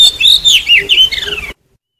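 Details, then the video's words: Oriental magpie-robin used as a decoy for trapping and to provoke singing, giving a fast medley of clear whistles, rising and falling slurs and short twittering notes for about one and a half seconds before cutting off. "Tiếng chim chích chòe than mồi dùng để bẫy chim và kích chim hót"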